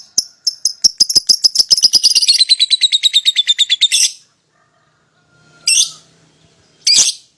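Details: A young (paud) lovebird pair used to coax a rival to sing: a long rapid series of ticking high chirps, speeding up and sliding slightly lower over four seconds, followed by two harsh squawks.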